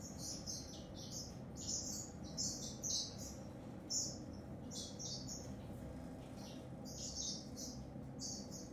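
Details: Song of the African grey singer finch: high twittering bursts in quick succession, some phrases louder and sharper, with brief gaps between runs, set against a constant low rumble.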